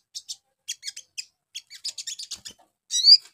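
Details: Sunbird lure song used to draw fast replies: scattered thin high chips and double notes, quickening into a quick chatter and ending in a louder, sharply rising whistled squeak.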